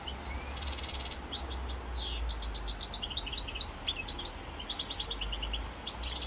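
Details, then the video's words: European goldfinch, rosse corse type, recorded 7 November 2022: fast liquid twitters and high chirped notes in busy runs, with a buzzy burst near the start and a steady low background hum. "chant chardonneret rosse corse"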